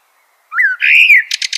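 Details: Common blackbird giving a single brief phrase, a rising then falling flute-like whistle that slides into a buzzy, high twitter at the end.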